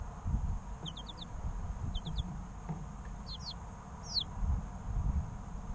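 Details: Chicks aged three weeks giving small groups of three or four quick, high, falling peeps separated by short pauses, with low background rumble.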